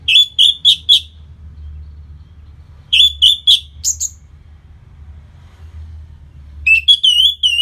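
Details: Orange-headed thrush song from Bali, intended to make the bird more aggressive after moulting; three bursts of repeated clear whistled notes, about four per second, separated by pauses, over low hum.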